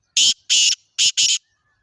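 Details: Harsh rasping call of a black francolin, known as kala teetar: four loud scratchy notes grouped in two pairs, evenly spaced over about a second.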